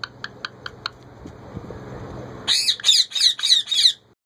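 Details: Captive female ringneck parakeet asking for bread with the words "roti dedo": soft ticking clicks and quiet room noise at first, then a loud, rasping five-syllable burst of squawky speech near the end.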